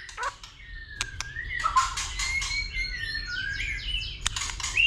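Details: White-rumped shama singing a fighting song in the dìu bổi style, stirred up by a female: thin rising and falling whistles and rapid trills over a hissing, noisy background, with a few sharp clicks.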